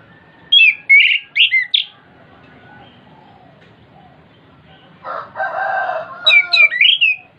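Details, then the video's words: Orange-headed thrush song played to prompt a caged bird to sing: bright, quickly slurred whistled phrases at the start and again near the end, separated by a quiet gap and a brief noisy rasp. "PANCINGAN ANIS KEMBANG BIAR NGEPLONG CEPAT BUNYI DAN GACOR"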